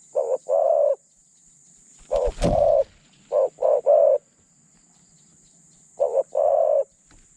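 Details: Spotted dove used in Thailand as a decoy to trap other doves. It gives paired and triple low coos with gaps between phrases. A brief thump or knock sounds near the start, over a steady background hiss.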